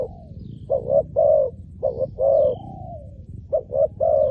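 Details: Spotted dove calling to draw in wild doves: loud, full coos in groups of two or three, one drawn-out downslurred note, against a low background rumble.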